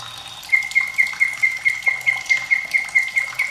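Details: White-rumped shama singing beside trickling water, meant as a master song for young birds and birds slow to sing: a short high whistle, then an even run of bright, clipped piping notes repeated about four times a second.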